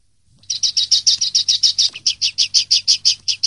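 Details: Common linnet in the 'limpio' (clean) song style, 2023/2024 season: a steady run of about eighteen buzzy, high twittering notes at roughly six per second, with a short break midway before the run resumes. Only a faint low hum lies beneath.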